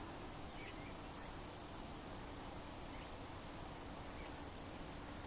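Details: A common grasshopper warbler (Locustella naevia) reels without a break, a high, dry, insect-like trill held at one pitch, with a few faint chirps behind; Tabulový vrch, Olomouc, Czech Republic, 27 June 2015.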